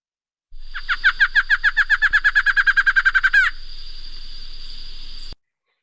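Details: Male Barred Antshrike perched on a branch in Bocas del Toro, Panama, in March, singing: a rapid, accelerating series of about twenty nasal notes over three seconds, ending in a louder upward flourish, over a steady hum; crest puffs up as it sings.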